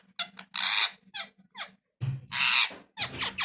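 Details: Pet parrot, shown as a talking parrot; loud, raspy, breathy bursts of voice, several short and a few drawn out, separated by gaps, over a steady low electrical hum.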